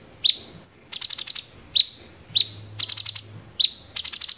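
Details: Sooty-headed bulbul (cucak cungkok) in "tembakan gereja" style: piercing high whistles alternating with rapid bursts of five to six crisp clicks, very regular and loud.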